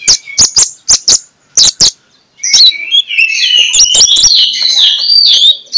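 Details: Morning 'ngeplong' magpie-robin song as a lure for sluggish magpie-robins: a series of separate sharp chipping notes, then a flowing stretch of bright whistled warbles rising and falling.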